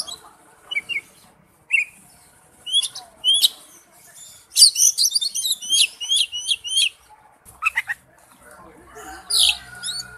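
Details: Oriental magpie-robin lure recording with scattered high chirps building to a rapid string of sharp notes midway, then sparse whistles over a low, muffled background.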